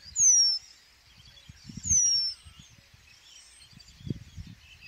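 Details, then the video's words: Eurasian penduline tit, a migrant, in spring among riverside meadows and willows of the Vistula delta, Poland: two thin, very high, drawn-out downward-sliding whistles about a second and a half apart over faint rustle. Eurasian penduline tit. "Remiz / Eurasian Penduline-Tit"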